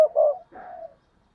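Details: Decoy spotted dove cooing to lure wild doves: one short throaty two-part coo, the first part louder and the second softer and trailing off, all in a low muffled pitch.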